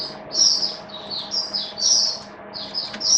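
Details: Caged Oriental white-eye singing in wet weather on 8 October 2022: continuous thin, high, slurred warbling notes rising and falling, with a low hum underneath.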